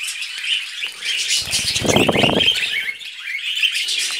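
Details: Several pet budgies chatter while feeding on vegetables; high warbling chirps run throughout, with a lower rapid fluttering or pecking burst in the middle.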